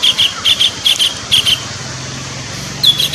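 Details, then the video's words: Kingfisher call for luring birds: paired sharp, high notes repeated in quick succession, followed by a pause with a low steady hum, then another note at the end. "pikat burung tengkek suara pancingan"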